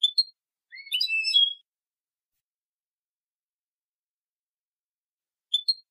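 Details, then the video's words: Copia malaga song of a European goldfinch, edited for teaching young birds: a paired chirp, then a rising note into a bright, scratchy twittering phrase, a long pause and a final paired chirp; clean and silent between notes. "تغريد حسون كوبيا مالقا لتلقين الفراخ ©chant copia malaga chardonneret"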